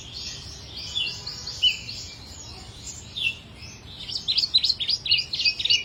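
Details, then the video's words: Chích nâu song: high, thin chirps that quicken into a rapid run of sharp, repeated notes toward the end, over a soft low background hum. "chim chích nâu hót"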